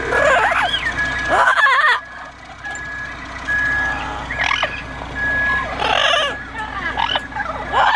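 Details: Double Yellow-headed and Yellow-naped Amazon parrots, seemingly bewildered by an odd noise, give harsh, wavering squawks and gurgling calls in bursts, mixed with a steady electronic beeping tone that sounds about every second or two.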